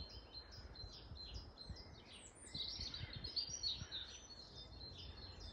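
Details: Several long-tailed tits in Grunewald on 20 March 2021 call in rapid, high-pitched twitters, growing busier and louder midway, thin notes tumbling over one another above soft low background noise.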